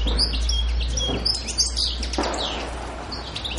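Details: European goldfinch recorded on Pantelleria island on 2 January 2011, giving quick tinkling twitters and short whistled notes, with a steady low hum underneath.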